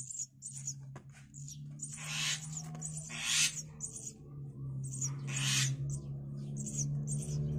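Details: Javan myna chicks aged five days being fed insects by both parents, which live free outside the cage: sharp high squeaks in quick clusters mixed with louder harsh rasping bursts, over a steady low mechanical hum.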